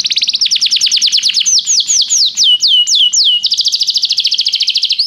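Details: Canary singing restlessly: loud, continuous high song of rapid repeated downslurred notes, shifting into slower swooping whistled slurs around the middle, then a fast rolling trill to the end.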